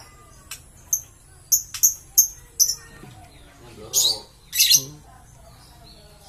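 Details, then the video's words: Green series lovebird: a run of short, bright high chirps about every half second, followed by two louder, harsher squeaky bursts. A faint low murmur sits in the background. "Love Bird Green Series"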